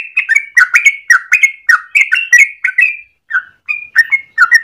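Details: Morning song of a yellow-vented bulbul in full voice, its long rolling phrases kept as a training master or lure: rapid gurgling whistled notes in quick pairs, with a brief pause about two-thirds of the way through before the notes resume.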